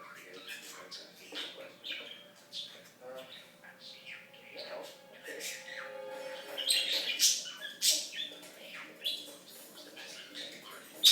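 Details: Talking pet budgie, lived 2007 to 2016, running a long, dense stream of rapid warbling chatter and clicks with speech-like rhythm, growing busier and louder midway, over a faint steady background tone.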